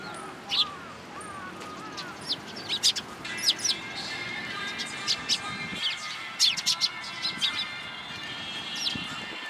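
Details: Sparrows flying into a cherry tree at a Tenmangu shrine in Japan, 24 March 2023: scattered sharp high chirps and short tweets from several birds, with a faint low whistled sound early on and steady background hum.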